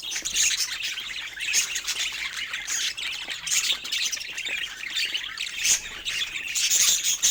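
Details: Several pet budgerigars playing produce a constant scratchy warble of chirps and squeaks, with occasional sharp clicks and brief high whistles.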